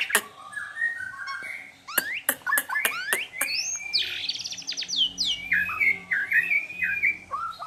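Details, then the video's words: White-rumped shama in full song, mixing in imitations of wild animal sounds: a fast, varied jumble of sharp clicks, upward-sweeping whistles and chattering high notes, continuous and lively throughout. "Murai batu gacor full isian suara hewan liar"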